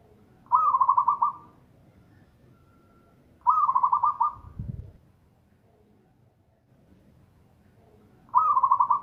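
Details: Loud local zebra dove song, rolling bubbly trilled phrases about a second long repeated every three to five seconds, each followed by a low dull thump.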